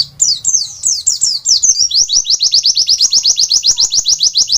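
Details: Oriental white-eye (Zosterops palpebrosus), song.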